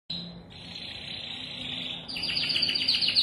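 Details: Canary singing: a long buzzy roll held steady, then a fast series of bright descending notes repeated about four times a second, with faint low hum beneath.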